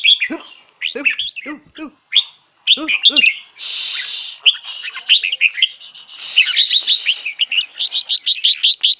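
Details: Red-whiskered bulbul kept caged in Hat Yai, Thailand: a few sharp, downward-sweeping notes open the song, then dense runs of clear, bouncy chirps repeated rapidly, with brief hissy noise.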